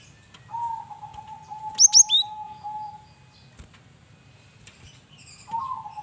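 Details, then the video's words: Vigorous varied song from a male cinereous tit used as a lure: a brief cluster of three sharp high chirps with a falling tail, set against a long steady low tone and later faint notes. "Burung Gelatik Batu jantan||Burung Gel wingko Gacor Variasi Buat Pancingan"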